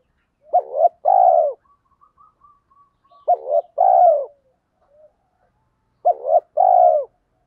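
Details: Caged spotted dove used as a lure, 'thổ pha' voice style with rapid sewing-machine-like cooing meant to provoke wild males into answering. Three phrases about three seconds apart, each a quick broken double note then a drawn-out mellow coo. Faint soft notes between.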